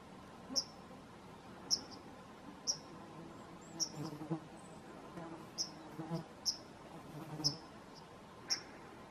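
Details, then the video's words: Fledgling bunting giving thin, high-pitched, clipped chip notes at roughly one-second intervals, steady and evenly spaced, against soft broadband background noise. "овсянка слеток"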